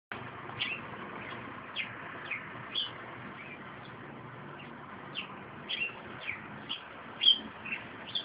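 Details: A sparrow on a balcony, waiting for spring, gives short, bright chirps at irregular intervals, about a dozen in eight seconds, over a steady background hiss of distant traffic.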